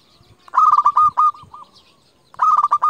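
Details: Zebra dove of the local type, kept as a lure to call rivals and excite quiet doves; a long loud burred trill of rapid pulses at even pitch, ending in softer notes, then another purring phrase starts after a short pause.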